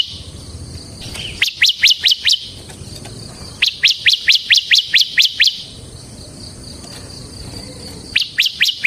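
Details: Singing bar-winged prinia, ngebren style, used as a lure and master song. Groups of crisp high chirps repeat in bursts about every two seconds over steady rustling background noise.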